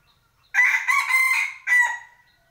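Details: Loud cockerel crow in three parts, a rough rising opening, a long steady harsh middle and a short dropping end, against near silence.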